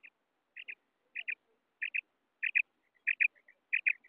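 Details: Female quail voice from Pakistan, a call used to lure quail when hunting: crisp paired high chirps repeated steadily about every 0.6 seconds, with a few softer short notes between, against a silent background.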